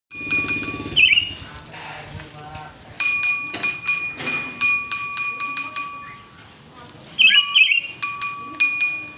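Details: Bird kept by a meatball seller, imitating his ting-ting bell: clear, ringing metallic tings repeated in runs of a few per second, with a person speaking in between.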